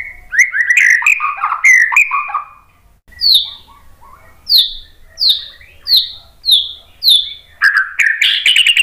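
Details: White-rumped shama song meant to lure other birds into answering: tumbling warbled phrases, then a series of six clear down-slurred whistles about every half second, ending in a busy rising chatter.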